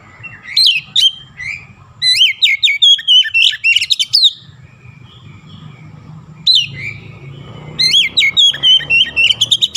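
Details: Oriental magpie-robin, a kacer described as gacor, singing loudly alongside an imitation of jalak kebo calls: bursts of sharp, sweeping whistled notes and chattering phrases in two long runs separated by a quiet pause, with a low hum underneath.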